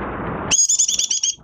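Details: Caged Oriental white-eye in minor moult, kept as a songbird, dated 3 June 2022, bursting into a rapid high chattering trill of evenly spaced bright notes after a moment of steady background hiss.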